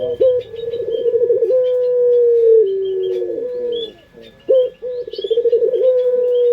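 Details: Lure recording of a local Barbary dove from Indonesia singing in the pelung style. It gives pulsing trilled coos that run into long sustained low tones, pauses briefly, then repeats with a rapid throbbing trill. Small birds twitter faintly throughout.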